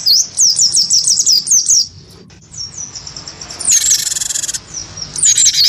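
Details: Great tit known as gelatik batu wingko, baited by a white-eye into fighting song; a fast run of high swooping whistles, a quiet gap, then a buzzy chatter burst and more whistles.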